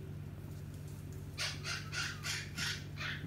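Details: A Hahn's macaw being given scratches before bed makes a quick run of six harsh, scratchy squawks, about three a second, over a steady low indoor hum.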